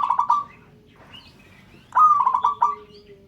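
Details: Local zebra dove calling to prompt other birds to sound: a quick stuttering run of four mellow, pulsed coo notes, a pause, then another rapid run of soft rolling notes, with faint higher chirps between.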